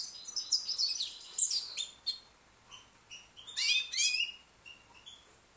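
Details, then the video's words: Song of a young white goldfinch, British bird: high jingling twitter with rapid slurred notes, a sharp downslurred call, a pause, then a louder burst of buzzy warbling and a few soft chirps, quiet surroundings. "young white British goldfinch singing"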